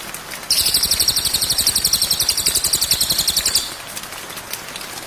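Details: White-rumped shama training recording for cage birds: a single rapid, buzzy high trill of evenly repeated notes lasting about three seconds, then fades to faint background hiss.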